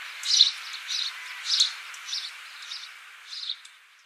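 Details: Australian house sparrow, 26 December 2015, chirping rapidly: about seven sharp, bright notes in four seconds, loudest at the start and fading toward the end, with steady hiss underneath.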